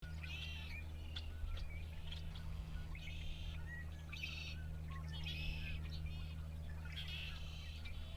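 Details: Red-winged blackbirds near the road at Sacramento National Wildlife Refuge on 2 January 2016, recorded from a car: bursts of harsh, buzzy chatter and trills from several birds, over a constant low engine rumble.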